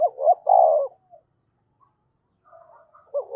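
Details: Spotted dove kept as a decoy bird, calling and cooing: a short hooked note then a long steady mid-pitched coo, a pause, and a fainter second phrase starting at the end.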